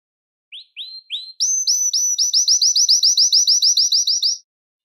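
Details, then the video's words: Belgian canary song to attract and call canaries: three rising introductory notes followed by an evenly paced series of high chirps, about four per second. "CANTO PARA ATRAIR E CHAMAR O CANÁRIO BELGA"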